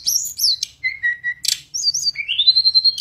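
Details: Mangrove blue flycatcher in song: high thin notes, then low whistles, a short noisy burst, and a rising whistled trill that climbs and holds on a bright tone, in a quiet setting.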